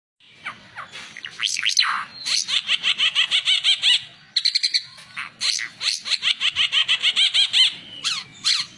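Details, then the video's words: Oriental white-eye song, offered as a model for training other birds to sing: a bright, high twittering of rapid repeated notes in long, even bursts, broken by short pauses near four and five seconds. "Burung ara mata merah cocok buat masteran"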